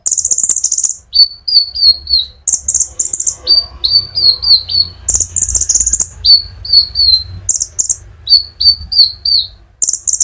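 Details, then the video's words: Sunbird (konin) singing fast for stimulating other sunbirds; bright high trills broken by strings of three or four quick falling notes, over a low steady hum. "pancingan Burung Konin gacor ngerol untuk kolibri ninja ijoan sampe metalik"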